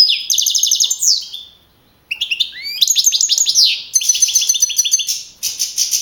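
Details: Young male European goldfinch, a caged field-type contest bird that won first place with 42 points at a singing contest in Navalcarnero, Madrid, on 15 April 2012. High twittering phrases, fast buzzy trills and rising and falling whistles, with one short pause.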